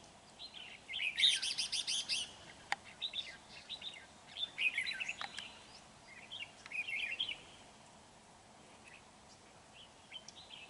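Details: Red-whiskered bulbul used as a lure bird in trapping, recorded 31 January 2019 in Vietnam: bursts of quick warbled, slurred phrases with a loud buzzy rattling passage early on, over steady background hiss.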